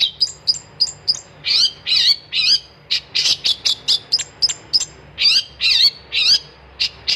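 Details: Lively long-tailed shrike song: rapid sequence of sharp high chirps mixed with harsh, buzzy, grating notes, delivered in quick irregular bursts.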